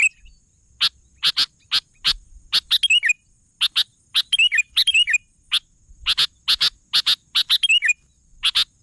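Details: Energetic sooty-headed bulbul: sharp, dry chip notes repeated in quick pairs and triplets, broken by a few twisting, bubbly phrases. A thin constant high-pitched hum sits in the background.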